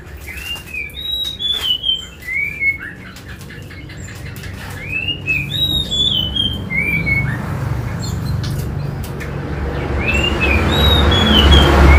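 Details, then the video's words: Yellow-eyed babbler singing in a contest against a magpie robin. Sweet slurred whistles come in short bursts. Between them are longer pauses and high thin notes. A low rumbling noise grows louder toward the end. "kutilang sutra SUPER GACOR vs Kacer adu kicau"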